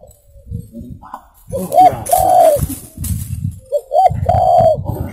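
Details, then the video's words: Spotted dove (tekukur) luring song: two phrases of short coos and a long coo, partly masked by rustling and low knocking noises. "SUARA BURUNG TEKUKUR COCOK UNTUK PIKAT(buat masteran)"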